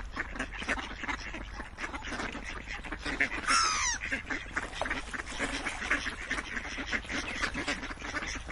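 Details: A large group of ducks chatters with dense, rasping quacks, and a brief descending whistled call from another bird cuts through midway.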